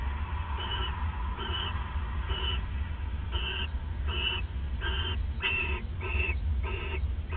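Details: Owls bonding at the nest, night of 29 December 2014: about ten short wheezy calls repeated roughly every three quarters of a second, coming closer together near the end, over a constant low hum.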